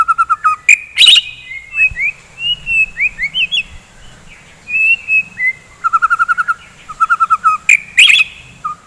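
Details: Varied morning song of a white-rumped shama used to excite fighter birds: loud harsh bursts, sliding whistled phrases, and quick runs of repeated short notes.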